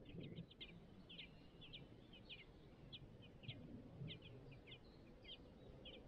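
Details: Song thrush nest with five nestlings to feed: thin, high cheeps in quick clusters, several voices overlapping, a steady stream over a low rustling rumble.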